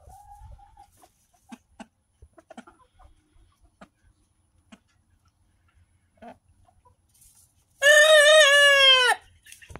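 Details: Backyard chicken, a rooster giving its first crow: after quiet soft taps and faint clucks, a single loud, hoarse, strongly harmonic crow lasting just over a second, held fairly level and ending abruptly.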